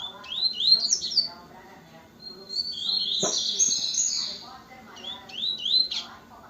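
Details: Double-collared seedeater singing in a 'corta canto' style: quick bright whistled phrases with rising and falling slurs, delivered in bursts, with low murmuring voices underneath.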